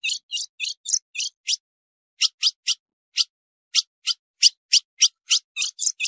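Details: Calling female ultramarine grosbeak, used to stir up males: a quick run of six high, clipped chip notes, a pause of under a second, then a dozen more evenly spaced sharp chips, about three each second; clean, quiet recording.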